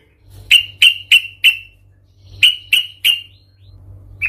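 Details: Yellow-vented bulbul giving a fierce fighting song meant to provoke other bulbuls: loud, sharp, sliding chirps in two quick runs of four and three, each note abrupt and bright, with a faint low hum beneath.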